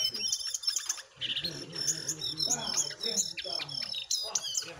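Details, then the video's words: Jongkangan singing in a contest between a wild bird and a caged bird: dense, high chirps and sharp whistled notes tumbling in quick succession, with several overlapping voices and brief lower warbles. "Adu Gacor Jongkangan Liar VS Jongkangan Sangkar"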